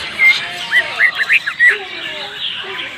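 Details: Greater green leafbird of Banyuwangi origin giving a phrase of its rich filled song: a row of loud slurred, up-and-down whistled notes in quick succession, fading into soft lower warbles.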